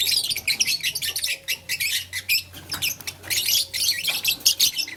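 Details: Morning chatter from blue, lutino and green lovebirds at play with a flower: short sharp chirps and scratchy squawks repeated in uneven clusters, a low electrical hum in the background.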